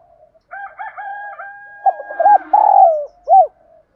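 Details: Spotted dove giving thúc đấu gáy kích bổi cooing meant to provoke other doves into a cooing contest: soft broken coos, then louder stuttered notes, a long drawn coo and a short rounded closing note. Another dove-like voice overlaps.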